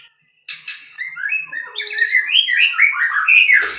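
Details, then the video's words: Song of a captive-bred white-rumped shama, beginning with a few soft notes, then building into a fast, varied stream of clear, warbling whistled phrases that grow louder toward the end. "muray batu suara mantap"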